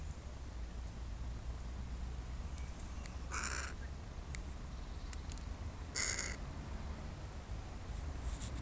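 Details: Crows at play, using a human body as a playground; two loud, rasping caws about three seconds apart, with a constant low outdoor rumble underneath.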